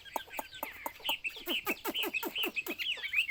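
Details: Fainter Chinese hwamei song: thin twisting whistles over a steady run of sharp clicky notes, roughly two per second, against a faint low background hum.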